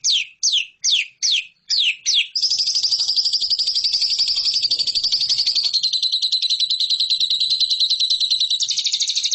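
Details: Lovebird song for training competition birds: six separate sharp downslurred chirps, then a long fast high trill running steadily to the end.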